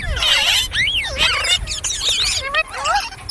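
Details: Ringneck parrot babbling: squeaky, speech-like phrases with swooping whistled notes that rise and drop sharply, delivered in a quick, continuous stream.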